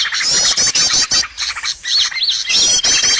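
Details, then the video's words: Trapping lure of bird calls. Rapid high twittering bursts alternate with three clear, arched whistled notes near the middle, and the dense chirping then resumes. "SUARA PIKAT BURUNG paling d cari!!"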